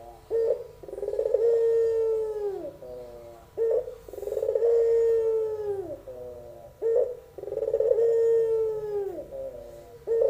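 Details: Young albino Barbary dove singing in the pelung style: three long, mellow, low cooing phrases, each opening with a short note and then swelling into a drawn-out tone that falls away at the end, repeated about every three seconds.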